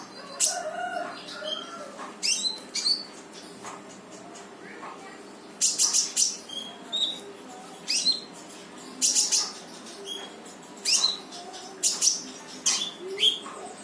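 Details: Lively brown-throated sunbird song of the 'full tembakan' style, played to stir a quiet sunbird to sing: clusters of high, piercing chips and short whistled notes arriving in rapid, uneven bursts over a soft hum.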